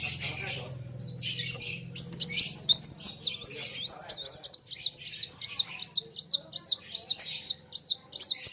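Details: Sunbird (kolibri wulung) singing against a rival: a low hum and scratchy chirps at first, then a steady run of high arched whistled notes, about two per second, over the final five seconds.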